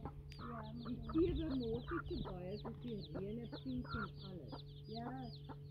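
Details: Free-range hens with their baby chicks: a steady chorus of high, rapid peeping from many chicks over soft low clucking, with a constant low hum.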